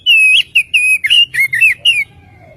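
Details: Continuous whistled phrases of an Oriental magpie-robin, used as a lure to make birds sing: level and slurred notes in quick succession, dropping in pitch toward the end, with a faint low tone after.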